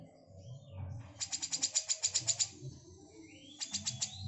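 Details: A female grey-cheeked bulbul gives a fast, sharp chattering burst of about a dozen clicky notes, eight a second, then a shorter burst, over a low background rumble.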